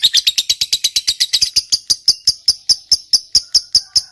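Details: Lovebird fighter ngekek, used to stir silent lovebirds to sing: a fast, scratchy chatter that gradually slows into evenly spaced, sharp chip notes about five per second.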